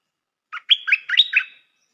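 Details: Song of a new decoy stripe-throated bulbul with good phrasing: a rapid, gurgling run of about five liquid notes, bouncing up and down in pitch within one second, clean and close, with nothing else heard.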